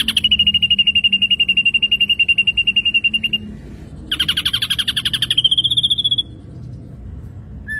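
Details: Vigorous ashy drongo song: a long, even rattle of fast repeated high notes, then a harsh buzzy phrase rising into sharper repeated notes, ending with a brief pause and a single low note.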